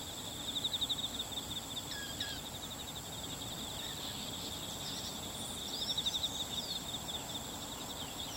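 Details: Bull-headed shrike (Lanius bucephalus), 22 September 2015, a single bird that looked male but may be female, gives two short bursts of rapid, harsh, high chattering (not its high-pitched call) over a steady, shrill drone of insects.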